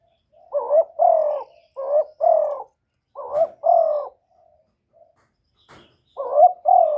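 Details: Spotted dove used as a decoy to lure wild doves, recorded clean and close: three pairs of loud, rounded, low coos, each pair quickly doubled, separated by brief silent pauses.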